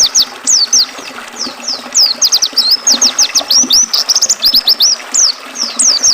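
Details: Oriental white-eye singing, a recording meant to tutor and settle caged birds, blended with river water: fast high slurred whistles and sharp downward strokes in dense chattering bursts, continuous stream noise underneath.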